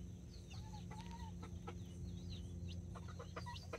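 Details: Brahma and mini chicks, nine in all, with two mother hens in a Colombian backyard, October 24, 2024. Quick high chick cheeps and a couple of level, drawn-out notes play over a strong low droning hum.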